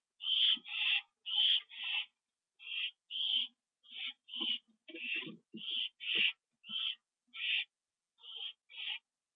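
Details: Nest camera, 7:08 PM on September 27, 2011, as two owls return. A rapid, irregular run of short, raspy screeches, nearly two each second, with faint low rumbles between some bursts.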